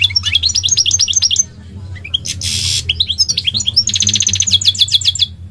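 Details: Goldfinch song: rapid twittering runs of high tinkling notes, a burst of buzzy rasping, then fast repeated trilled phrases, over a steady low hum.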